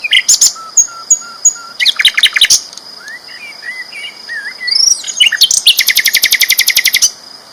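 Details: Sikatan londo flycatcher singing loudly and vigorously: clear whistled notes repeated in short runs, a low slurred phrase, then rapid buzzy trills with steady pulses, all over a constant high hum.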